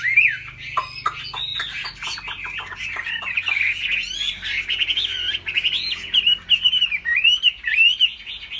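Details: Laughingthrush with a big fig-leaf tail, singing high and flapping that tail. It opens with dry clicks and short notes, then pours out a sustained, wavy whistled warble, with the phrases growing more clipped and emphatic toward the end.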